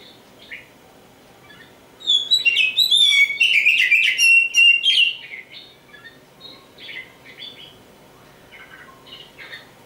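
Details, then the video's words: Oriental magpie-robin (kacer), described as a champion songbird, gives a loud, rich burst of varied whistles and harsh chattering notes lasting about three seconds, then softer scattered phrases. "suara burung kacer"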